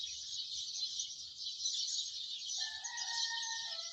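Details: Morning chorus of many house sparrows chirping densely without a break, with a rooster crowing in the background near the end.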